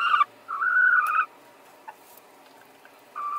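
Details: Chickens, two hens fighting to lay an egg in the same place at the same time; brief harmonic, nasal tones, a short call then a longer sustained one and another starting at the end, with quiet gaps between.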